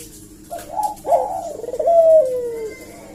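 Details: Single extended coo phrase of a Eurasian collared dove used to provoke answering calls: soft opening notes build into a rolling coo and end in a long steadily falling tone.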